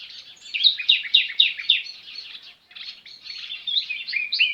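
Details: Chirping sparrows outdoors, a quick series of sharp repeated chirps, then a brief lull and more overlapping twitters.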